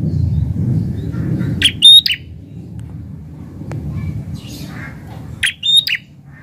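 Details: Prinia in full song in a garden: two quick phrases of shrill, ringing chirps nearly four seconds apart, with a low background hum that fades after the first phrase.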